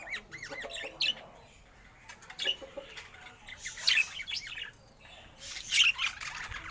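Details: Happy pet budgerigar calling in short bursts of sharp squeaky chirps and warbles, separated by quieter pauses, with occasional rustling.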